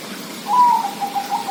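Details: Song of a zebra dove: a loud, clear introductory coo, then several quick, soft, evenly pitched cooing notes rolling along in a brief phrase, with light background hiss.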